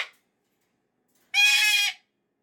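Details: A single harsh, buzzy screech from a pet cockatoo having a Monday morning meltdown after the weekend, lasting about half a second, with the tail of another call at the start.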